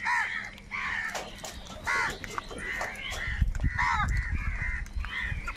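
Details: Fighting for food, crows let out a run of loud, raspy caws, several overlapping, followed by thumping and scuffling sounds.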